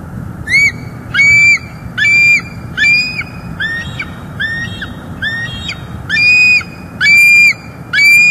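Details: Female bald eagle on a northeast Florida nest, December 2021, calling each time the male brings a stick, live nest camera: a long string of high, thin squealing notes, roughly one per second, loud and softer alternating.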